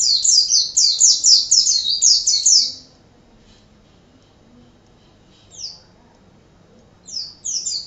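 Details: Oriental white-eye (pleci) in 'gacor' tutor song: three seconds of rapid high twittering, then near silence broken by a single short slurred note and a final brief chirp burst.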